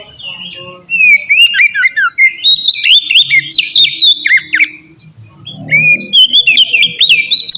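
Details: Oriental magpie-robin giving its melodious ngeplong song, used as a lure to train birds into steady singing: rich whistles, harsh chatter and sweeping slurs in long, fast phrases with a short quiet break.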